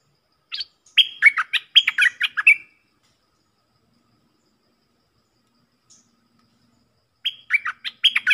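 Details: Song of a stripe-throated bulbul, known locally as nok dok taeng, with emphasis on the opening phrases. A lively run of warbled, chirping notes lasts about two seconds. After a quiet gap a similar phrase starts again. The background is clean.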